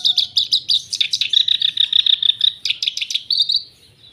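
A black-browed reed warbler sings a rapid, chattering run of high, scratchy notes.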